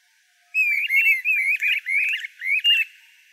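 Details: A Streamer-tailed tyrant, a migratory species usually found near wetlands, gives about six quick bursts of sharp, twangy whistled notes in under three seconds, with a quiet background.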